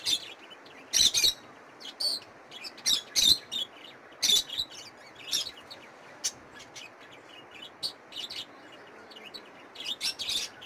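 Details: Budgerigar chicks: bursts of raspy, high, hissing chirps come in irregular clusters about once a second, separated by quiet gaps, with a faint low background hum.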